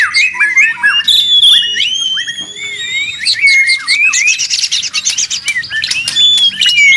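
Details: Busy white-rumped shama song, used to train songbirds: rapid chirps and upslurred whistles that give way to dense, high, buzzy trills and sharp squeaky notes.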